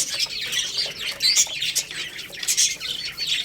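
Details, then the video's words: Lohmann Brown chicks at a rice meal: brief bright chirps, some sliding downward, repeated in quick uneven bursts alongside clicking pecks. "Chicks Chirping Sounds"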